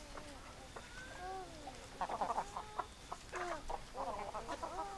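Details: Flock of chickens clucking and murmuring, short curved notes bunched into rapid runs, several birds overlapping, with a steady faint background hum.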